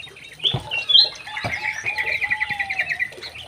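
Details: Young male White-rumped shama kept in an aviary gives high whistled notes, then a fast even trill of repeated chips, over a soft low sustained tone and a few dull knocks.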